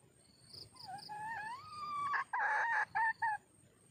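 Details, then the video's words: Red junglefowl hen calling for a mate: a drawn-out, wavering harmonic note that rises and falls, then four loud, short, clipped notes in quick succession, over a steady high insect whine. "suab poj qaib see zoo heev cuab tuaj zoo kawg"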